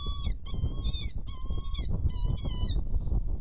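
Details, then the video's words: Saker falcons feeding at a Hungarian nest at 7:24 on 1 May 2013, giving harsh, nasal, harmonic-rich calls in short bursts, several per second, over a steady low rumble of wind or microphone noise. "Hungarian Saker Falcons - Feeding"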